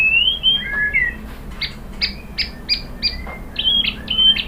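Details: White-rumped shama singing, meant to stir caged birds into song: clear whistled slurs open the phrase, followed by a series of short sharp upward notes and a final pair of level whistles over faint low hum.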